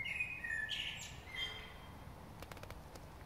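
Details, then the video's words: Bird singing in spring in Notting Hill during the Covid-19 stay-at-home period: a few clear whistled phrases near the start, then a pause and a quick run of sharp clicking ticks, over steady low background hum. "A Bird Sings in Spring"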